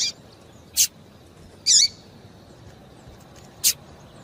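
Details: Calls of a female papa-capim seedeater meant to stir up males before singing contests: brief, sharp, high-pitched chirps spaced irregularly, one slightly longer warbled note in the middle, with quiet hiss between them.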